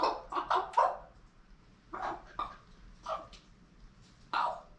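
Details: Captive female common raven making strange noises at its keeper instead of her usual loud squawking: a quick cluster of harsh rasping notes, then scattered single squawks with pauses, in a small room.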